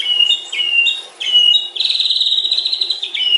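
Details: Murai batu singing a long fill: clear whistles step between pitches, then lead into a fast, even, high trill that runs for more than a second.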